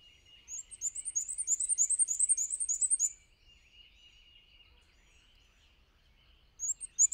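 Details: A black-and-white warbler, flying from perch to perch in patchy sunlight, sings a thin, very high, squeaky-wheel wee-see series of two-part notes for about two and a half seconds, then restarts, over a steady insect-like hum.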